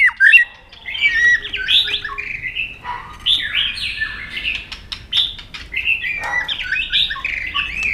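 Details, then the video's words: White-rumped shama in fighting song: a continuous, somewhat subdued ramble of warbled and scratchy phrases with scattered sharp clicks. "Chòe Lửa Đánh Đuôi Sàn Cầu Kích Lửa Hót Căng. luyện Chòe lửa hót đấu."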